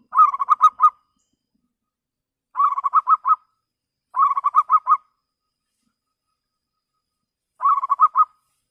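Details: Local zebra dove repeating its clear lure song to draw rivals: four bursts of rapid, evenly pulsed coos, each under a second long, separated by gaps of one to three seconds in otherwise silent surroundings.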